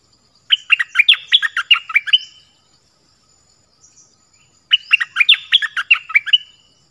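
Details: Nok dok taeng singing a 'phleng boen' style song, played so young birds copy it: two bright phrases of quick chirped, down-slurred notes, each about two seconds long, separated by a pause.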